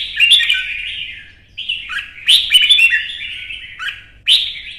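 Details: Vietnamese kept red-whiskered bulbul in intense singing contest, repeating bright liquid warbled phrases with sharp onsets, separated by short pauses.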